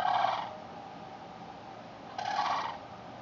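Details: Cranes in a backyard on September 8, 2013, giving two loud rolling, harmonic-rich calls, one at the start and one after a two-second pause, over steady low background hiss.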